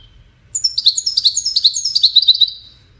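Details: European goldfinch delivering a lively two-second phrase of high, tinkling chirps and quick slurred notes, closely spaced and slightly irregular, over a quiet background.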